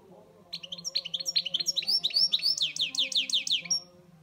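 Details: Pet European goldfinch song: a lively run of high, liquid chirps that speeds into a series of sharp descending tinkling notes before ending on a thin whistle, with a soft low hum behind.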